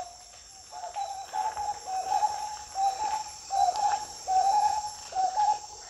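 Marbled wood quail giving a mellow, low, rollicking phrase repeated over and over, a bit more than once a second, over a steady high insect hiss.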